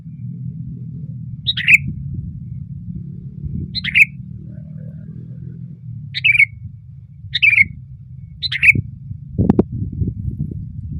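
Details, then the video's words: Sooty-headed bulbul singing loudly while perched on a branch: five short, bright phrases, each a quick squawky burst ending in a liquid warble, spaced about two seconds apart over low steady background rumble. "SUARA BURUNG KUTILANG GACOR KERAS KETIKA DIATAS RANTING"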